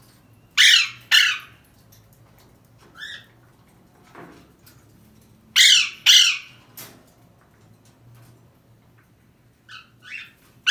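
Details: A captive Alexandrine parakeet, apparently trying to escape, gives loud, harsh screeching squawks, often in quick pairs.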